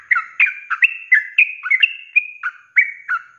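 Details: Fast 'ropelan' song from a sooty-headed bulbul, intended as a master recording for kept birds: rich, chortling whistles that rise and fall, run together at about three to four notes per second.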